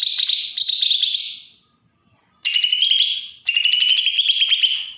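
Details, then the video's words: Bornean green leafbird, Kalimantan (Berau), giving agitated song to provoke other birds: rapid, rasping chatter of high notes over a steady whistle, in four phrases, the later ones slightly lower and rising. "cucak ijo Kalimantan suara besetan pancingan burung bakalan"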